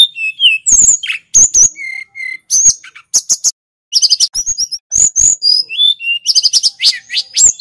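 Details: Snowy-browed flycatcher (tledekan gunung) song used as a lure to make other songbirds fight: high, clear whistled notes and short trills, mixed with sharp clicks and brief gaps.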